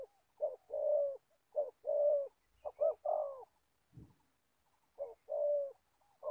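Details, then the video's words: Old decoy spotted dove used for trapping wild doves in Gia Lai, cooing in two-part phrases, a short note then a longer mellow one, four phrases with a pause and a dull low thump midway. "Bẩy cu gáy. Clip 65.. mồi già bắt bổi thổ tốt tiếng"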